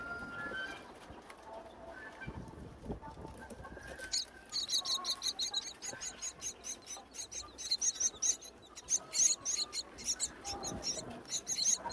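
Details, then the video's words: Wild myna chicks begging in a nest high on a tall palm tree during breeding season as their mother returns with food; after about four seconds of quiet background, rapid high, scratchy, repeated cheeps rise in a quickening series. "Mother Myna Feeding Hungry Chicks on a Tall Palm Tree"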